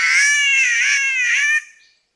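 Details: Green Catbird in Far North Queensland rainforest gives one drawn-out, wavering, nasal wail of about a second and a half, uncannily like a yowling cat or crying baby; no other sounds.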